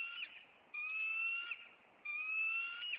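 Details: During an April intruder encounter at a Maine bald eagle nest, clear sustained whistles rise slightly, each lasting about a second, separated by half-second pauses.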